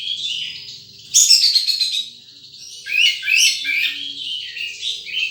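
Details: Wild sunbird calling: high, thin chirps and twittering trills, with a loud burst of rapid notes after one second and further bright warbled phrases later.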